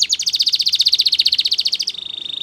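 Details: Belgian canary singing for canary training: a fast, even trill of bright high notes for nearly two seconds, then shifting into a softer, steady high tone that holds to the end.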